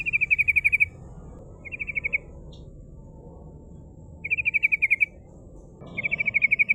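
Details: Sooty-headed bulbul recorded as a lure to call rivals, rolling 'ngerol' style: four rapid trills of crisp, high, evenly spaced notes, each under a second long, coming in quick succession against a quiet, faintly noisy background.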